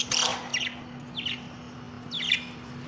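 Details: Budgerigar chirping: a loud, rough burst of notes, then short, sharp chirps sweeping through a high pitch band, given in small clusters about every half second, over a steady low electrical hum.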